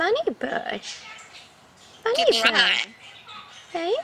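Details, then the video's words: Captive male Red-sided Eclectus parrot, kept as a family pet and not hand-raised, chattering during a tickling session; loud rising and falling voiced sweeps in two bursts separated by a quiet gap, mixed with a person talking indoors. "Eclectus Parrot Talking"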